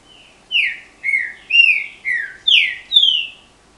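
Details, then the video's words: Canto guerreiro of a captive-bred green-winged saltator (trinca-ferro), strong and loud: after a soft lead-in, six rich whistled slurs, mostly descending, spaced roughly half a second apart. "Trinca-Ferro Mc.PAVÃO Canto Guerreiro."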